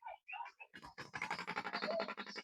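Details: A shoebill at Entebbe Zoo (UWEC), Uganda, makes a fast, dry, machine-gun bill clatter of rapid pulses lasting about a second and a half, after a few spoken words.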